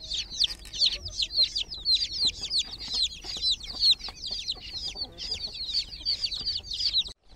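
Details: Baby chickens in a water pool keep up a dense stream of sharp, high falling peeps, several per second, for about seven seconds before stopping abruptly.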